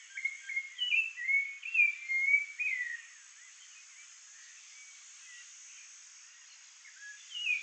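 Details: Rufous-bellied Thrush singing while guarding the area around its nest, a run of clear, fluty whistled phrases for about three seconds, then quiet hiss, with one brief phrase returning near the end.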